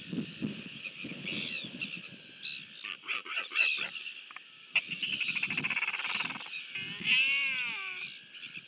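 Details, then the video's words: Royal albatross at the nest in New Zealand, an adult feeding its chick on 23 January 2023: bursts of rapid clacking pulses, then a wavering, harmonic drawn-out call near the end, over a steady windy hiss. "Royal Albatross -Albatros królewski (NZ) - L & SP, karmienie maluszka"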